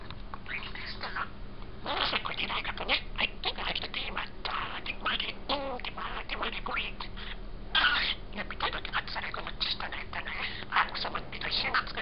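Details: Tame budgerigar, 16 months old, chatting contentedly to itself while on a person's shoulder: continuous rapid babbling of clicks, squeaks and scratchy syllables with occasional louder accented notes, over steady low room hum.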